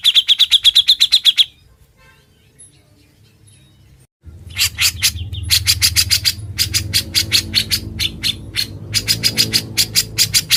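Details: Actively singing grey-cheeked bulbul, ngebren style, for training other birds: a rapid string of high, clipped notes, a pause, then long stretches of harsh, chattering bursts over a low background rumble.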